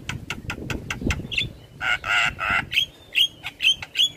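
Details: Javan myna in full head-nodding song, used to train other birds. A rapid series of clicking notes leads into thick, nasal, broadband rasps, then short whistled chirps repeated at intervals.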